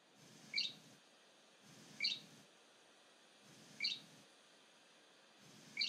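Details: Great grey shrike, Stjørdal by Trondheim Airport, Norway, early April 2019: single short high chirps spaced roughly every one and a half seconds over a faint low background hum.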